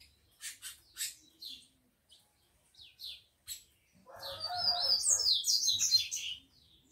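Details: Tico-tico males, kept by a breeder and described as eager to fight, with females; spaced sharp chirps at first, then a loud tangle of twittering high notes over a buzzy lower call.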